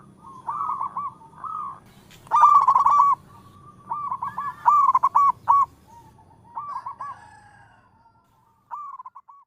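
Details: Zebra dove of a local strain singing. A series of short, pulsed cooing phrases follow one another, some loud and some softer, each a quick stutter of mellow notes with gaps of about a second.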